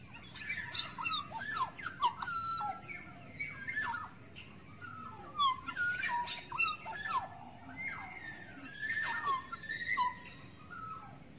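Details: A wild forest Black-naped Oriole gives a lure call, used in Indonesia to attract birds. Fluty, slurred whistles mix with harsher rasping notes in lively phrases that recur every second or two, against faint background hiss.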